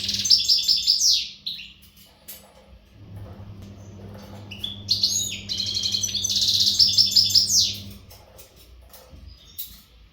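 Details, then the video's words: Western goldfinch not tutored by recordings, singing energetic readiness song: a rapid twittering burst, a pause with soft rustles, then a longer run of metallic trills and sweeping notes, with a low hum underneath. "تغريد الحسون"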